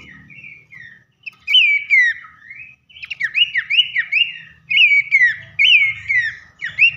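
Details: Babbler singing as a lure for other babblers: soft whistles at first, then loud rising-and-falling whistled slurs in quick repeated runs, over a faint low rumble.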